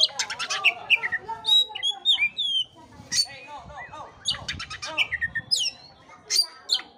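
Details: Oriental magpie-robin (kacer) song used as a lure to stir a listless bird into singing: rapid bursts of sharp chirps alternating with clear whistled notes, some rising and some falling, in quick varied phrases with brief gaps.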